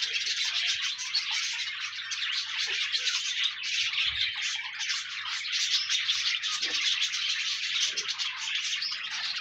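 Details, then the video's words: Pet budgerigars in chorus: an unbroken stream of fast twittering, buzzy chirps and squeaks from several birds, with a faint low bump, intended to encourage a solitary budgie to sing. "No more lonely budgies. Pet parakeets encourage your bird to sing"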